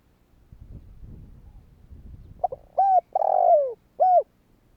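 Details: Soft rustling gives way to a spotted dove's challenge phrase meant to draw replies from other doves: quick double notes, a level coo, a long rasping downslurred croo and a closing arched coo.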